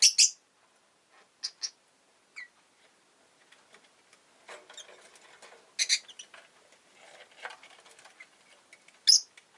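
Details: A pair of pet rosy-faced lovebirds, sitting huddled at the entrance, give shrill clipped chirps every few seconds over soft scratching and rustling.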